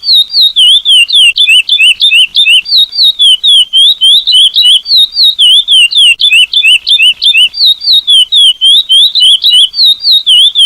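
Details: A chestnut-bellied seed finch (curió, "selo prata" song type) sings a fast, unbroken run of clear, sweet whistles swinging up and down in pitch, three or four notes a second, with sea-wave sounds added.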